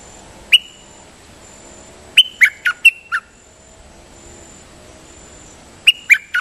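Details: Dok taeng bird in a decoy song session (siang to). One lone whistled note comes first, then a run of five quick sharp notes, a long pause, and another three-note burst, over a faint constant high tone.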